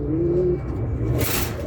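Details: Racing pigeon, linked to a winning race, giving one short, low, slightly rising coo, followed by a burst of hissing noise and a constant low rumble.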